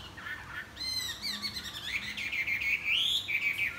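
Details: Chinese hwamei flapping its wings and singing in the morning: loud, varied whistled phrases with rapid slurred notes rising and falling, building into a bright rising whistle near the end.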